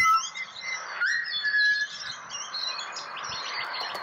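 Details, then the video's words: A single pure whistled phrase from a pied butcherbird in Australia, rising then holding steady, followed by fainter high chatter of other birds. "Serenaded by Pied Butcherbird"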